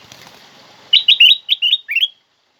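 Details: Black-crested bulbul song, loud and clear, used to stimulate pet bulbuls to sing: a short burst of six quick, bright whistled notes, each briefly rising and falling, with a faint hiss beforehand.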